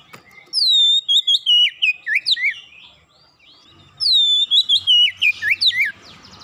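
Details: Two loud bursts of fast song from an Oriental magpie-robin after one lure, each opening with a high whistle sliding down, then tumbling into rapid, jerky, twisting notes, with a quiet gap between.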